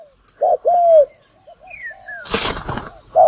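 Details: Decoy spotted dove call for trapping: two loud low coos, a short one then a drawn-out one, followed by softer distant cooing and thin whistles, a burst of rustling noise, and a last coo at the end.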